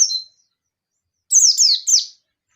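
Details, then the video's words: Local yellow-breasted Oriental white-eye challenging an opponent: a thin, level high whistle, a pause, then a quick three-note burst of piercing falling chirps. "Pleci Ngalas Nembak Memanggil Lawan || Suara Burung Pleci Gacor Ngalas Nembak emosi"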